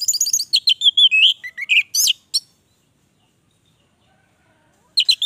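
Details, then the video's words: Rapid, varied outpouring from an orange-headed thrush: high chirps and tumbling whistled notes packed tightly for over two seconds, then quiet, then a fresh burst of sharp chips. "Anis merah gacor durasi panjang"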